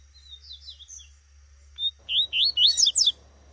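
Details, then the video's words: A wild female double-collared seedeater calls in the bush: a few faint high chirps, then a quick burst of loud, twisting, squeaky notes over about a second, over a low hum. "Coleiro tuitui no mato com PIADO de FÊMEA"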